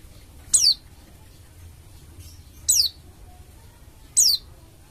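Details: Oriental white-eye of the Bali dakun form, a strong singer meant to make other white-eyes sing. Three clear, steeply descending high whistles at uneven gaps, with a faint softer note between the first two.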